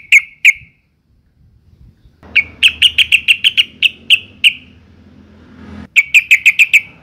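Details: Sooty-headed bulbul female in breeding condition calling males, used to prompt males to sing: two sharp chirps, a gap, then a rapid run of about eleven bright clipped notes over faint hum, and five more.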